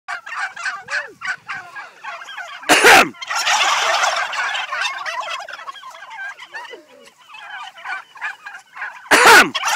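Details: Farm turkeys gobbling in response to a person coughing: a flock produces a continuous, overlapping bubbling gobble chorus that swells after a sharp cough near three seconds, with another cough near the end.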